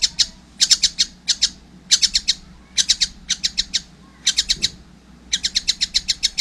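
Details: Fledgling collared kingfisher producing short clusters of three to six sharp, high chattering notes separated by pauses, with a faint low background hum.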